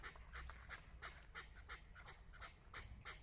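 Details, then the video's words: Rapid chuk-chuk calls, about three a second, from a decoy chukar partridge used for hunting, placed in front of a female partridge; low-pitched background hum throughout. "Кабки шикори дар пеши модкабк"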